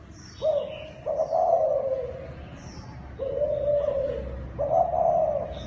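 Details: A Thai dove cooing in the kích bổi style: a short coo, then a long wavering one, a level drawn-out note and a rolling coo to finish, with faint high twitters behind.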